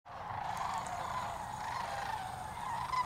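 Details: A flock of Sandhill cranes calls while flying over the Wheeler Refuge: overlapping rolling, trumpeting calls blend into a steady chorus for about three seconds, with a faint low rumble beneath.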